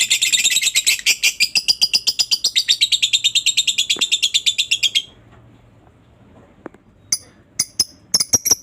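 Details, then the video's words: Lovebird lure song for stirring quiet lovebirds into calling: five seconds of rapid, rhythmic high chirps that stop abruptly, followed by quiet and several sharp isolated clicks. "Lovebird malas bunyi, langsung ramai bersautan begitu mendengar pancingan suara Lovebird ini"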